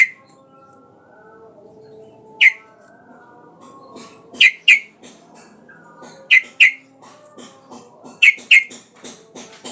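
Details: Sooty-headed bulbul used as a lure to make a rival sing; short sharp bright notes in quick pairs, repeated about every two seconds, with faint background chatter.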